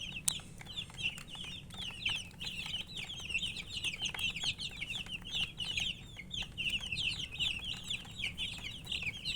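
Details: Baby chickens, coloured poultry chicks, chirping from thirst for drinking water: a dense overlapping chorus of high, sharp peeps from many chicks, steady throughout, with scattered clicks and tapping and a low background hum.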